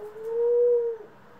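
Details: Single soft, even coo, about a second long and level in pitch, from pet doves that include ringneck, Senegal and hybrid birds, with quiet room noise after it.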